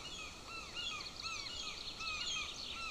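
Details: Hungry golden eagle eaglet at a nest camera near a military training ground, 18 June 2024, trying to swallow a bone from scraps: thin, downslurred peeps repeated about four times a second over steady hiss and faint high chatter.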